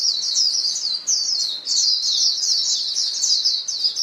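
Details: White-eyes in a flock call back and forth, a recording meant to get caged birds singing: an almost unbroken stream of high, shrill chattering, pausing briefly near one and a half seconds.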